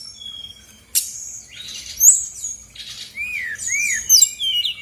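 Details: Female brown-chested jungle flycatcher from Bali giving lure song to stir silent birds: a sharp note, buzzy phrases and rising-falling whistled slurs, loosely spaced.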